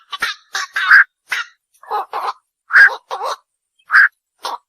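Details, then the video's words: Repeated harsh croaks of a night heron, the bakchu or ok bird, about a dozen short raspy notes in uneven clusters, some louder squawks standing out, in a quiet setting. "বাকচু পাখির ডাক / অক পাখির ডাক / বাকচো পাখির সেরা ডাক / Bukcu pakir duk/ Night Hiron Bird call"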